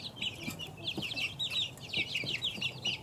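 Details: Clear peeping of two-week-old chicks: crisp, downward-sweeping chirps repeated rapidly in uneven bursts, with light scratching sounds underneath.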